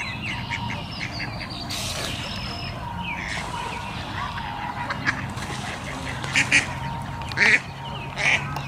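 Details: Wood duck ducklings, a brood at High Park, give short bright peeping calls near the end, three clustered bursts of high notes about a second apart over a steady low rumble and faint background chatter.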